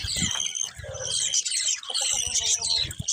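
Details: Colourful budgies chattering in a dense, high warbling chorus of twittering chirps, interrupted by several low thumping bursts.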